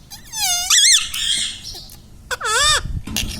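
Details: Talking Indian ringneck parakeet kept as a pet, known to repeat mummy, papa and radhe radhe; two loud, rich, harmonic phrases with curving, wobbling pitch, separated by a quieter raspy stretch.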